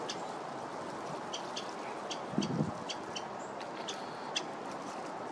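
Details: A Winter Wren in a botanical garden on December 7, 2023, gives sharp, dry ticking call notes, about a dozen at uneven intervals, over a steady hum of distant traffic with one low thump.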